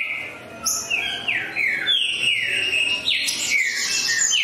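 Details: Green-winged saltator producing a fast series of rich, sliding whistles that fall in pitch, some overlapping higher notes, sustained with little pause throughout.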